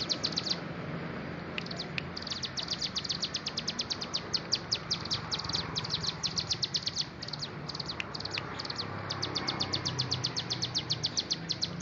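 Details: Bar-winged prinia (ciblek gunung) singing long stretches of fast, high, ticking notes in rapid rhythmic series, with short breaks between bursts and steady faint background noise.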